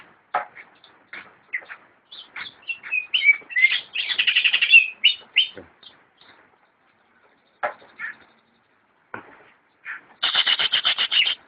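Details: Greater green leafbird, a kept songbird, delivering scattered sharp notes that build into a dense buzzy warbling phrase, a quiet gap, then a final fast rattling trill.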